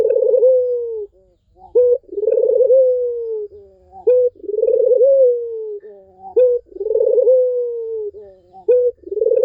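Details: Barbary dove song for coaxing a silent bird: a regular run of coos, each a clipped rising note leading into a long rolling hum that drops in pitch, four phrases in a row.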